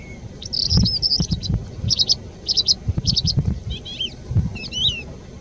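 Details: Calandra lark singing in Bardenas Reales: bursts of high, scratchy chattering notes in quick clusters, ending with a few rising and falling whistled slurs, over low rumbling wind.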